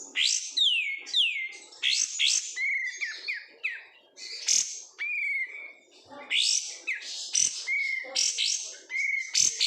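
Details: Kept oriental white-eye from bulk market stock singing steeply falling whistled slurs and short level whistles, separated by brief gaps, in a varied and lively sequence.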